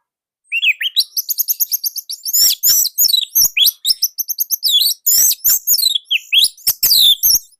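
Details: Orange-headed thrush from Indonesia in continuous, loud, tight song: fast strings of high, sharply modulated chirps and trills repeated with almost no pause for about seven seconds.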